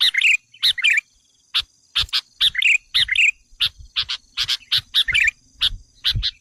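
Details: Lure call of the sooty-headed bulbul, played to agitate wild bulbuls: quick repeated chirps and clipped twittering phrases in dense bursts, a short gap near one second, low thumps and a faint high tone underneath.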